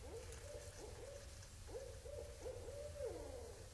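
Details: Barred owls calling at night at Indian Cave in autumn 2012; a rapid series of low, rising-then-level hoots, ending in a drawn-out descending note, faint over low rumbling background.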